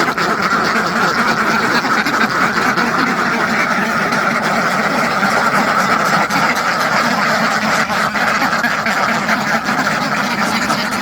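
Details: Large farmed flock of ducks, hundreds strong, keeps up a constant wall of harsh overlapping quacks, even in volume from start to finish with no gaps.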